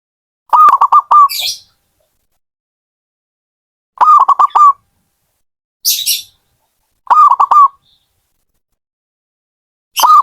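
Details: Zebra dove (perkutut) from a hobbyist keeper, singing four phrases about every three seconds, each a quick run of staccato, bubbling coos ending in a drawn-out note, with brief hissy bursts between phrases.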